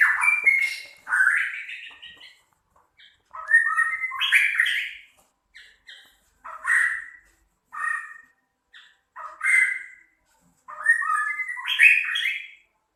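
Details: Medan white-rumped shama, a harsh, rough song used as a master recording for training other birds: loud bursts of buzzy, rasping and whistled phrases around the middle pitch range, grouped in separate bouts every two seconds or so with short silent gaps.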